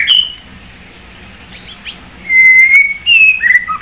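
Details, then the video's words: White-rumped shama song, mostly quiet at first, then clear pure whistles, a long level note followed by short rising and falling phrases near the end. "White-rumped shama bird sing very well"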